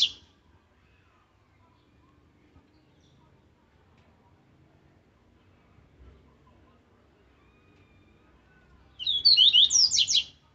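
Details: Double-collared seedeater singing its aggressive Laranjeira song for training: after a long near-silent stretch, one rapid burst of bright, slurred high whistles closes the recording.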